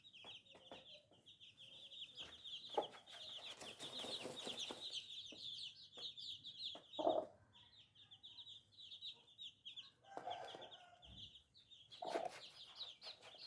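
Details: Little baby chicks peeping nonstop, their rapid, high, downslurred cheeps forming an unbroken chorus. Scattered sharp clicks come throughout, with a brief rough mid-pitched squawk around the middle and another near the end.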